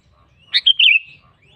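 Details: One short phrase from a sooty-headed bulbul calling out to a rival: a sharp rising note, then two quick liquid syllables melting into a wavering, slightly descending whistle.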